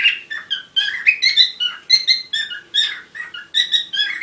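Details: Squeaky, warbling chatter of courting parrots, chirps with rich overtones sometimes slurring up or down, packed closely together over a low faint hum.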